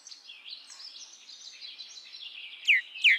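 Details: Common myna, with a steady mass of high chattering and twittering, then two loud, sharp downward-sweeping notes close together near the end.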